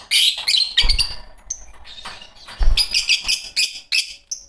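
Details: Two green Fischer's lovebirds chirping: rapid, high, squeaky twitters and a few thin whistled notes, broken by two dull low thuds.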